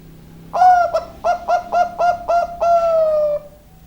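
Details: Zebra dove of the Bangkok type, in lively song: a low cooing phrase of a drawn-out opening note, six short staccato coos, then a long sliding final note. The phrase lasts about three seconds, with a faint hum behind it.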